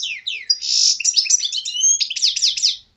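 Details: A goldfinch caught the previous year and now caged sings a dense, fast phrase: high twitters, a buzzy burst, then repeated bright rolling notes.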